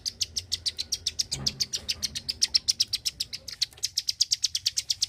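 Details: Klik-klik bird delivering a rapid run of sharp clicking notes, about four each second, with a short low thump near the start and a faint background hum.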